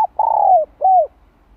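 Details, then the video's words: Spotted dove decoy voice for training newly caught doves, "2 hậu lỡ" style: a long throbbing coo sliding downward, followed by a shorter clear arched coo, soft and low-pitched. "Tiếng cu gáy kích mồi tập bổi 2 hậu lỡ"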